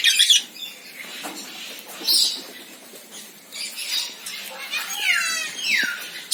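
Senegal parrot giving harsh, raspy squawks, then two quick downslurred whistles near the end, in a quiet setting.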